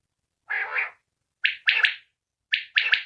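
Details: A single common quail calling outside a cage gives sharp, liquid clipped notes, a short note then a quick double note, repeated roughly once a second in a quiet setting.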